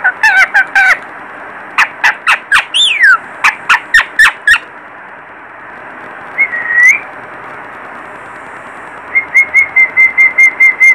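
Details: Parrot chick producing rapid clicky chatter and squeaky rising-falling whistles, then a sliding whistle and a fast run of short repeated high peeps, all close and clear.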